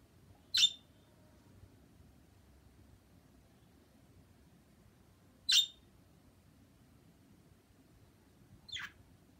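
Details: Pet bird giving single sharp, high chirps spaced several seconds apart, three short calls in all over a faint, steady room hiss.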